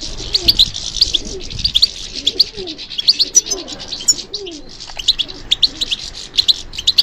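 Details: European goldfinch song, given in response to stimulation: rapid high chirping and twittering throughout, while a dove coos softly and repeatedly in the background.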